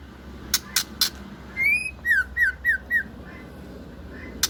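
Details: Female white-rumped shama of the Aceh type, called murai Aceh: a few sharp clicks, then one rising whistled note and four quick down-slurred whistles in a row, then a faint softer note.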